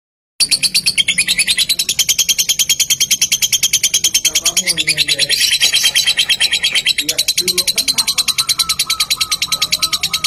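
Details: Lovebird lure recording meant to make other lovebirds start singing: a long, fast, high chattering run of harsh chirps, about three per second, with a lower whistled note sliding in near the end.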